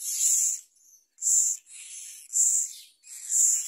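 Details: Myna chick in the nest as a parent brings a large blue caterpillar to its mouth; harsh, hissing rasps repeated about once a second, each roughly half a second long, with quieter hiss between.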